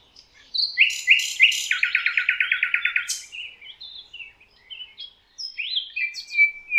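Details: A Common Nightingale in the Rawka river valley, Poland, sings a rich phrase: an opening whistle, a fast rattle of about a dozen repeated notes, then varied high chirps and trills.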